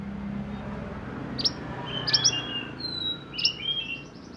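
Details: Sunbird (burung mantenan) singing for song training, roll nembak style: thin high chips and sliding whistles, including one level piercing whistled note, over a low constant hum.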